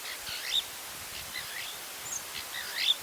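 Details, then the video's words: White-crowned starling, a bird commonly found near houses, gives faint, scratchy chattering notes and a few sharp high chips in short bursts over soft background hiss. "white crowned starling"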